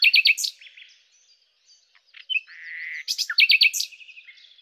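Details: Common nightingale (Luscinia megarhynchos) song with two matching phrases about three seconds apart, each a cluster of quick, loud repeated chips, separated by soft clicks and a short buzzy rattle.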